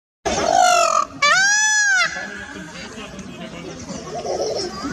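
A peacock gives two loud, nasal wailing cries in quick succession, the second rising and falling, followed by soft background noise.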